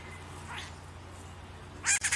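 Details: A rufous-naped wren, a species that visits houses and was filmed taking coconut fiber from buckets at a home, gives a faint rising note and then a loud, scratchy double rasp over quiet hum.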